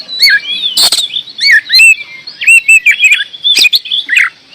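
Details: Energetic oriental magpie-robin song, loud piping whistles and short warbled phrases, mixed with a couple of harsh broadband rasps and clicks.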